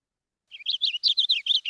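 A Purple Finch sings a quick, rich warble of about nine high slurred notes, rising and falling in fast succession with no other sounds.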